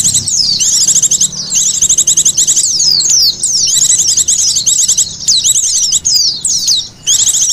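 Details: Dense, high twittering lure call of Oriental white-eyes, with fast trills and sweeping chirps that come in near-continuous bursts broken by short gaps.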